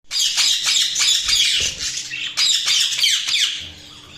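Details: Budgerigars chirping in a dense, continuous chatter of rapid warbled and squawky notes, high and bright, with short sweeping chirps layered over each other and a faint steady hum beneath.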